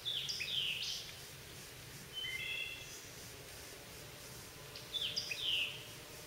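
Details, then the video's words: White-eyed Vireo singing in a holler on June 20, 2014: three short, snappy, high phrases spaced a couple of seconds apart, over a steady low rural hum. "songs of the white-eyed vireo"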